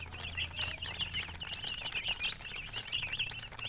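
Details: Baby chicks chirping loudly in a group, insistent high peeps in short pulses, interspersed with bursts of rustling or scratching noise.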